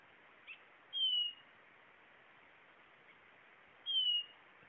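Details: Blue-naped chlorophonia giving two clean, high, downward-sliding whistled notes about three seconds apart, with a faint chip before the first, against constant background hiss.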